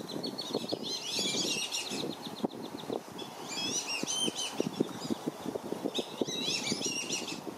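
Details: Black-bellied whistling duck parents chase and nip at intruding ducks near their five young at Circle B Bar Reserve, Florida. Clusters of shrill, wavering whistles erupt three times, separated by quieter high chatter, over constant low splashing.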